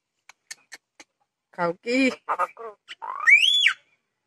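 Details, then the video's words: A common myna gives a few sharp clicks, then a run of harsh, gurgling notes ending in a loud rising-and-falling whistle. "Common Myna Bird Sound|Shalik Pakhi|শালিক পাখির ডাক"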